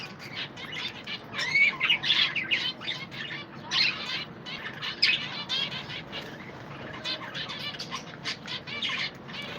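A flock of budgerigars chatters continuously with bright, warbling chirps and scratchy squawks.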